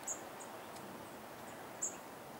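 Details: Goldcrest (Regulus regulus), call.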